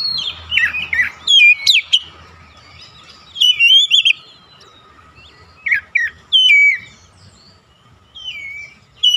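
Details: Oriental magpie-robin lure song to make other magpie-robins react: scattered phrases of falling slurred whistles and sharp rising notes separated by quiet gaps of a second or more.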